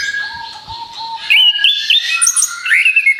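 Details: Orange-headed thrush delivering rapid-fire song meant as a lure for other birds: a quiet start with a steady low tone, then loud bright whistled phrases, rising slurs and high sweet notes packed closely together.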